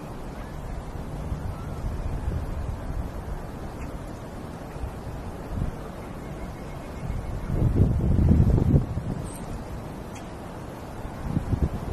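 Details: Only low, rumbling wind buffeting the microphone is heard, with a stronger gust around the middle and no animal calls.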